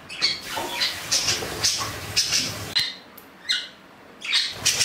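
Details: Pet budgerigar indoors: a run of raspy, pulsing chatter notes, then a brief pause and a few more scratchy squawks.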